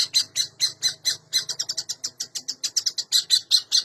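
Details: Long-tailed shrike singing energetically with varied phrases, a lure for shrikes that will not sing: rapid, sharp, squawky high notes in a steady stream, briefly quickening in the middle, over a faint low background hum.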